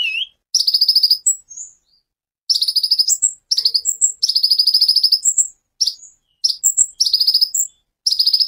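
A sunbird sings bursts of rapid, high, buzzy trills, each lasting about a second and broken by short pauses, with thin whistled notes mixed in between.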